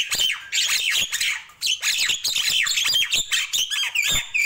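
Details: Nias hill myna singing in the morning: a busy run of loud, harsh squawks mixed with sharp whistled notes sliding downward, delivered in quick bursts with brief pauses.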